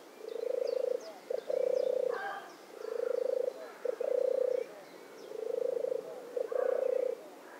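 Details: European turtle dove (Streptopelia turtur) gives deep, soft purring trills, 'turrr-turrr', in three groups of two or three purrs, with faint chirps from other birds behind.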